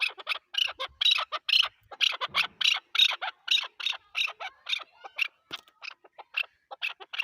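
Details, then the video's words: Chukar partridge, Pakistan's national bird, giving a fast run of harsh clucking notes centred high, roughly two per second with uneven spacing, loud and steady over seven seconds. "chakor ki awaz zark awaz"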